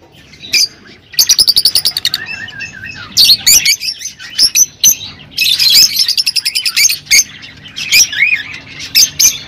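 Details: Rosy-faced and Fischer's lovebirds singing to encourage mating: quick rattling series of clicks, a wavering whistled note, then bursts of piercing chirps and squeaks separated by brief pauses.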